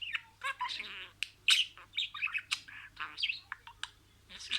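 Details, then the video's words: Pet budgerigar imitating words in sequence: fast burry chatter, squeaky rising notes and clipped buzzy syllables in tight bursts, faint low hum underneath. "SIRALI KELİMELER, MUHABBETKUŞU SESİ,MUHABBETKUŞU KONUŞMA SESİ DİNLE"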